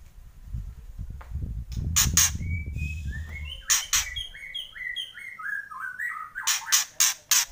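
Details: White-rumped shama singing loud kretekan. Low rumbling background comes first, then harsh ticking bursts and a descending series of clear whistled notes, closing with rapid rasping rattles.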